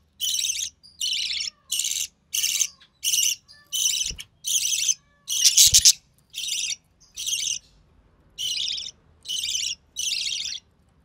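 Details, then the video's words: Budgie chick, recessive pied, hatched early June 2020, fed by its mother: a long run of about sixteen harsh, hissing rasps in rapid succession, with faint lower chirps and a couple of soft knocks in between. "Budgie Chick - Recessive Pied Budgie"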